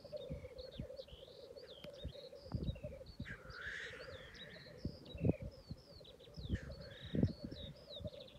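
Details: Black grouse bubbling in a steady low cooing drone, punctuated by harsh hissing bursts and sharp thumps, while other birds whistle with rising and falling notes overhead.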